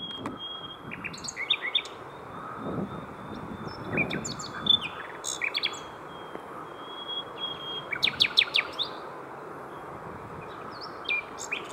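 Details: Common nightingales singing around 7 in the evening on a cycling route between Hoek van Holland and Scheveningen, Netherlands, where 23 were heard. High, varied whistles, clicks and buzzy bursts come in scattered phrases over a steady broad rushing background.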